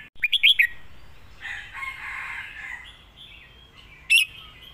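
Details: Red-whiskered bulbul competition master song: a rapid opening phrase of four bright notes, then a long harsh, scratchy passage and a single sharp note near the end.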